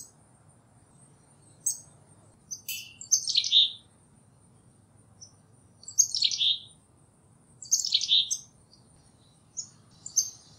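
A black-capped chickadee gives several bursts of high, scratchy chick-a-dee-dee notes, spaced a couple of seconds apart, over a faint low hum.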